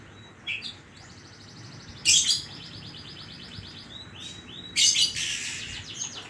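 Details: Oriental magpie-robin (kacer) singing actively, in the 'isian koslet' song-filling style: sparse phrases with a short whistled note, a run of quick repeated high chirps and two loud harsh bursts, over a soft background hiss.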